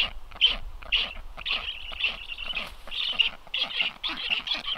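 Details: Black storks at a nest on 9 July 2023, seen on a livestream camera as unfamiliar storks arrive; breathy, rasping bursts about twice per second, some with a thin whistled edge, slightly uneven in timing.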